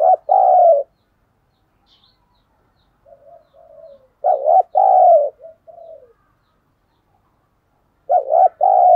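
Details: Caged decoy spotted dove calling to lure and provoke wild doves, in thổ-style cooing; loud paired low coos come in bursts about every four seconds, with soft short coos between.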